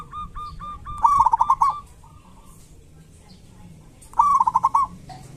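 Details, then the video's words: Local zebra dove in kerot and bekur singing style, meant to stir silent doves into song. Two loud, fast, stuttering coo phrases arrive about three seconds apart, with softer scattered coos between them. "Pancingan perkutut lokal gacor cocok buat perkutut lokal susah bunyi"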